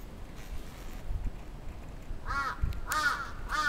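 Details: Crow attacking in Atsubetsu Ward, Sapporo, on 27 June 2017: three harsh, nasal caws arrive late in the clip, after a quiet stretch of low rumbling background.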